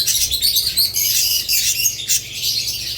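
Budgerigars chatter together in a dense, continuous stream of high, scratchy chirps and warbles, with several birds calling over one another.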